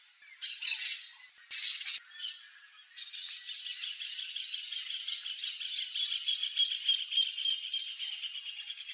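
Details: Crested caracara: two loud rasping bursts open the sequence, then a long, fast scratchy rattle of repeated clicks that holds steady to the end.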